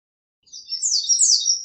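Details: American redstart singing a brief, very high, thin phrase of blurred notes that climbs slightly toward its end, with no other sounds present.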